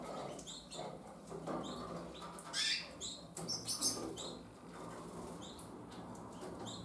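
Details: Young harlequin canaries, twenty days old and leaving the nest, give short high squeaky chirps at irregular intervals, a louder cluster partway through, with fluttering and scratching noises underneath.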